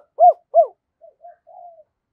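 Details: [5, 'Spotted dove kept as a decoy to lure wild doves, uttering two round, arched coo notes in quick succession followed by three soft, low, short murmured notes.']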